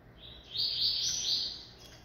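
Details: Newly acquired caged capped seedeater, the yellow-billed black-capped form, gives a sustained high buzzy whistled phrase of about a second, with two swelling notes.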